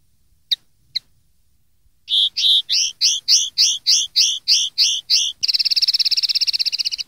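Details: Linnet song for tutoring juvenile birds: two quick chips, then about ten repeated slurred two-part notes at a steady pace, ending in a fast, bright, buzzing trill.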